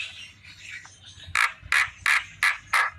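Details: A Javan myna in the afternoon: faint chatter followed by five loud, harsh, rasping notes delivered evenly about every third of a second.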